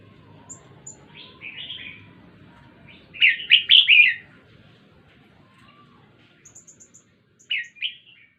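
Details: Red-whiskered bulbul at Jenderam giving a soft opening phrase, then a loud, rapid burst of bubbling, slurred notes. Near the end a short fainter phrase follows, along with a few thin high clicks.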